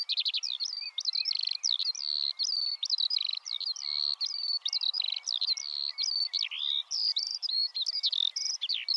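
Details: Unbroken song of a Eurasian skylark (Alauda arvensis): dense, high, chattering warbles mixed with short trills and sharp whistled slurs, delivered in rapid bursts with barely any gaps.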